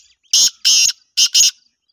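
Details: Black francolin calling: four loud, harsh, grating notes in two pairs, each pair of rasping bursts separated by a short pause, with near silence around them.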